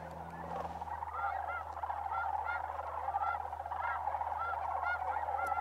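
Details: Sandhill cranes migrating through Bosque del Apache Wildlife Refuge, New Mexico, in December; a constant flock chorus, with clear, repeated arched calls from nearer birds popping out every second or less.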